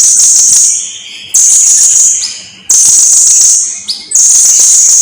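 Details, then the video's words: Blue-crowned hanging parrot in full song, from a long recording meant for tutoring other birds: very high, shrill, buzzy trills held for over a second each, separated by short gaps with brief rising notes. "Kicauan Suara Burung SERINDIT GACOR !! Durasi Panjang || Sang Guru Vokal"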